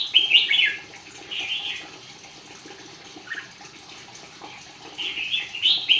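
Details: Contest-singing red-whiskered bulbul delivers chattering, warbled phrases at the start and end with a softer note between, accompanied by running water and a wing flutter.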